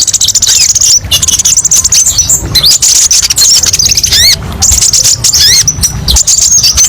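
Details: Sunbird known locally as kolibri ninja, singing a varied master song of sharp bursts: dense high twittering and squeaky notes, sudden rising and falling slurred whistles near the middle, then more fast chattering trills. A soft low rumble runs beneath.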